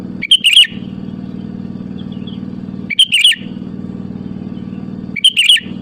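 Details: Sooty-headed bulbul calling to challenge rivals and use as a lure: three short liquid, bubbly phrases spaced roughly two and a half seconds apart, with a steady low droning hum throughout.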